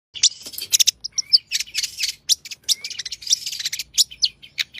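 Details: Long-tailed shrike in lively, rich fill-in song: dense, fast run of sharp high chirps, trills and short whistled slurs, with varied note shapes packed closely and barely a pause.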